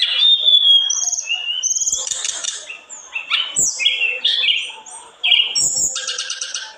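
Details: Tledekan gunung, or olive-backed tailorbird, singing intensely enough to agitate others of its kind; a clear whistle leads into varied chirps, swooping notes and a closing fast buzzy trill, all high-pitched.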